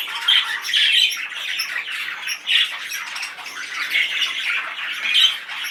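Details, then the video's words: Male budgerigar, highly excited, pours out a continuous scratchy warble of fast chirps and clicks, with louder squawky bursts around the first, third and fifth seconds. "طيور الحب دكر بادجي جد هائج"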